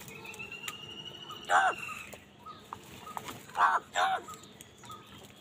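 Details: Crows fighting for food, angry: two hoarse, grating caws, the second a double, spaced about two seconds apart over a steady hum and a faint tonal whistle.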